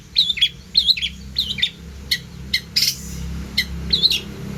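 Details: Vigorous long-tailed shrike song full of imitated phrases, played as a tutor for songbirds: paired twittering notes repeated about every half second, then sharp single chips and a short rasp.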